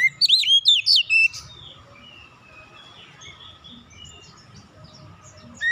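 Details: Oriental magpie-robin in relaxed song meant to lure young birds to sing: an opening rush of five or six loud, looping whistles, then quieter scattered twittering and a faint low background rumble.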